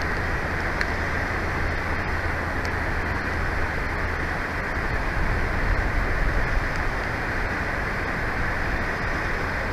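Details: Constant broad roar, like strong wind across a microphone or running water, with a couple of tiny clicks and no animal voices.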